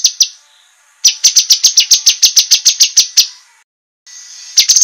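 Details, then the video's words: Cucak kinoi master song for training competition birds: two sharp chips, then a string of about twelve loud, piercing high notes, silence, and a new run beginning. "suara masteran cucak kinoi, masteran tajam untuk burung lomba"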